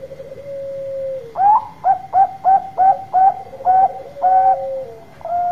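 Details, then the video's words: Loud-voiced Bangkok-type zebra dove (perkutut) singing a song used to lure other doves to answer: a steady low coo, then a run of about eight short, hollow, even-spaced coo notes with a slight rising lilt, ending on a longer note. "Perkutut Bangkok Gacor Suara Besar Tepat Buat Pancingan Cepat Nyaut."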